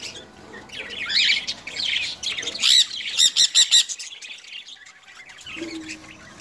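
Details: Pet sun conures at home, cuddling and friendly alongside a cockatiel, give harsh, raspy squawks and chattering calls, with a burst of repeated sharp notes.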